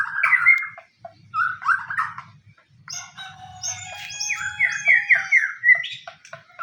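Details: White-rumped shama song meant to provoke other shamas into singing: a varied, rich sequence of whistled phrases, then a dense burst of rapid mixed chirps and high notes.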